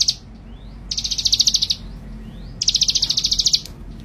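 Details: Male Bar-winged Prinia singing two rapid, buzzy, high-pitched trills. Each lasts about a second and holds a dozen or more evenly spaced notes, with a short pause between them. Background is quiet.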